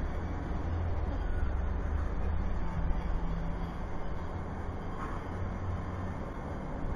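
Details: Steady low urban rumble of passing vehicles, with no animal voices.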